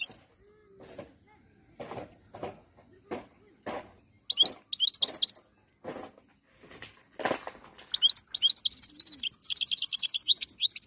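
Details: European goldfinch song, 2022: after several low dull knocks, bursts of high, fast twittering notes begin around the middle and build into a dense, rapid, tinkling warble at the end.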